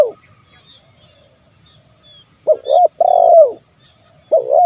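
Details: Spotted dove 'kuk 1' lure call for prompting wild birds to call: mellow low coos, a brief cut-off phrase, a pause, then a double coo and a long falling coo, with a new phrase starting at the end.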